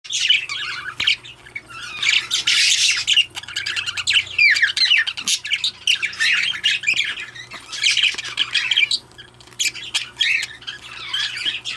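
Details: Recessive pied opaline budgerigar giving a dense, continuous warbling chatter of scratchy squawks, clicks and quick chirps in bursts, loudest early and near the end, with a steady low hum underneath.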